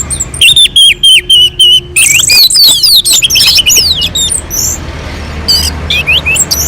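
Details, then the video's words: Orange-headed thrush singing on a mountain slope, a melodious, non-stop song used as a lure to provoke other birds into singing. A thin high trill, then a loud, varied run of sweeping whistles and quick chirps. "kicauan anis merah sangat merdu dan gacor untuk pancingan"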